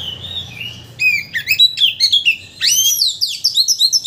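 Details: White-rumped shama whose song is meant to make another shama sing its full repertoire; soft low whistle, then a quick series of clear slurred whistles and a rising sweep into rapid repeated notes.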